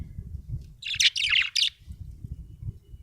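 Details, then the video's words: Budgerigar giving one dense, scratchy burst of chattering chirps lasting under a second, set against a low rumbling background. "budgie chirping sound"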